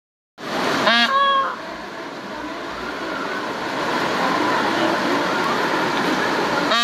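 A peahen gives a loud, brief nasal honk near the start, with another clipped call at the very end, over steady traffic-like rumble and hiss.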